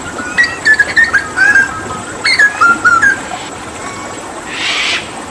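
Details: Hooded butcherbird from Papua in vigorous 'tembakan' tutor song during water therapy: clear whistled slurred notes in two short phrases, falling and rising, followed by a soft hissing burst.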